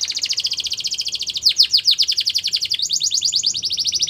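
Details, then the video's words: Gloster canary singing a training song: a fast, even trill of high chirps, about three to four per second, dipping briefly into deeper swooping notes midway before resuming the rapid rattling trill. "Gloster Canary Singing | Canary Training Song"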